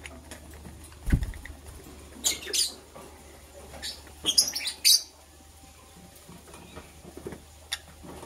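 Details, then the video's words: Green and blue lovebird chirping while preparing for egg laying: clusters of short, harsh, high chirps around two and four seconds in, with quiet indoor pauses and a low thump between. "Green and Blue Lovebird Chirping Sounds - Preparation for Egg Laying"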